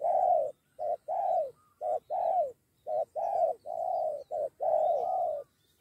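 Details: Spotted dove drawn in by a decoy bird and ready to fight, with a second bird joining, two against one; loud hoarse coos in short-then-long pairs, about one note per second, with brief gaps between phrases.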